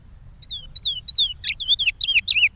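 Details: Chestnut-bellied seed finch (curió) singing the regional song of Pará, used for teaching chicks: clear whistled notes sliding downward, then quicker looping phrases repeated about every quarter second, with a faint steady high tone behind.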